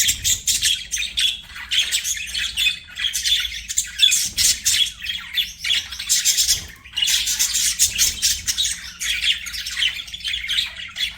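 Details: Budgies chirping nonstop in rapid, buzzy chatter, rough squawky notes packed closely together with only one brief gap midway, over faint low background hum.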